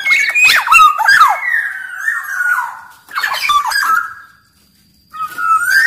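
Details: Singing black-naped oriole from Sumbawa, used as master song: a harsh, scratchy burst of squawks and slurred whistles, a sliding whistle, another raspy burst, silence, then a clear rising whistle.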